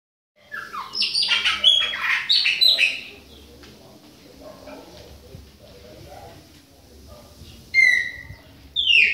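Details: Chopi blackbird from Bahia, a young bird, singing in autumn: a burst of rich warbled and whistled notes with descending slurs for about two seconds, then a pause and two short bright whistled phrases near the end.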